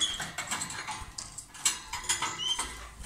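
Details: A pair of lovebirds calling loudly while kissing or exchanging food: dense, harsh, scratchy chattering with quick squeaky notes packed close together throughout.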